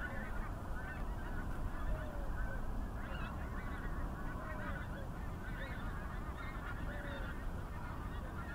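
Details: Skein of pink-footed geese in flight, North Norfolk, UK, 18 January 2022: many overlapping short honking and yelping calls from the flock over a steady low rumble of wind or surf.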